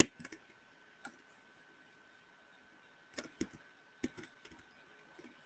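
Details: Scattered dry clicks and taps, like typing, sound over a faint steady hum in a quiet room, with no animal sounds.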